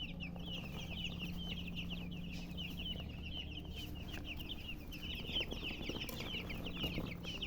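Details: Many young chicks chirping continuously, bright short peeps sliding downward in a dense unbroken stream, with a soft background hum and a few faint clicks.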